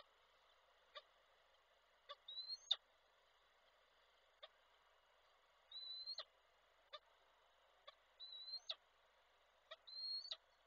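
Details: Peregrine falcon male arriving with prey for the female at Koszalin, Poland, 16 February 2024, calling to her: sparse, quiet high sharp ticks and short upslurred whistled notes spaced one to two seconds apart.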